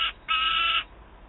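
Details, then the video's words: Peregrine falcon at Wałbrzych, Poland, 27 August 2022, young bird screaming after feeding near an adult with prey. The end of one scream, then a single harsh, half-second scream, followed by quiet. "Baron z łupem i wrzeszczący, najedzony Gutek"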